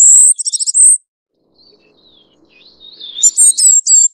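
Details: Ferruginous Flycatcher, Muscicapa ferruginea, Taiwan: a second of shrill high whistles and stutters, a gap filled with faint, wandering, rising squeaks, then several loud, sharp, very high notes.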